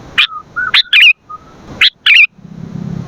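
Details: Sooty-headed bulbul song for training and luring birds: lively bubbling chirps and warbled notes, with a soft low whistle between phrases, ending in low background rumble.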